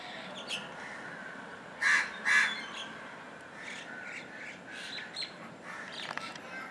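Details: Indian golden oriole at Kalwa, Thane, Maharashtra, India: two harsh, nasal calls in quick succession stand out against a hissy, noisy background, with a few fainter bird notes scattered around them.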